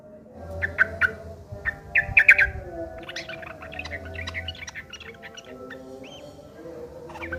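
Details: Yellow-vented bulbul fighting song used as a lure to provoke replies; sharp bright chips early, then a dense jumble of rough chattering notes over steady low hum.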